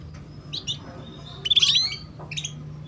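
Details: Female canary chirping to coax young canaries into singing quickly: a few short, high chirps spaced apart, with a brief whistled note in the middle, over a low steady hum.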